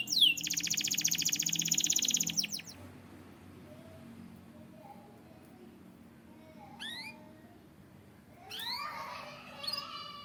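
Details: White canary giving a rapid buzzy high trill for over two seconds, then a pause with soft notes, followed by a few sharp upward-sweeping chirps and a short twittering phrase.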